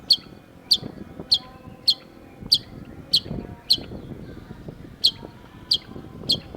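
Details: Long-tailed shrike (cendet) singing actively in a masteran training recording: short, sharp high notes repeated roughly every half second to second, with a low rumbling background.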